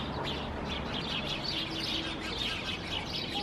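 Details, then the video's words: Helsinki, Finland, September 2021: house sparrows hidden among climbing plants chatter constantly, many short high chirps blending into a continuous flock chorus over a low hum. "Sounds of House Sparrows among the climbing plants"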